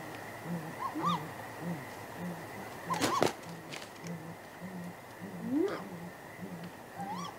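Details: Great grey owl pair at their nest at night, 23 April, exchanging contact hoots before possible mating: soft low hoots in an uneven series, several higher rising-and-falling wailing calls, and a sharp knock near the middle over a steady electrical hum.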